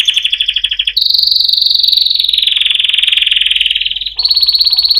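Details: Singing canary delivering a rapid, even trill that jumps to a higher, faster rolling trill, slowly dips in pitch, then rises again into a bright fast trill; no other sounds.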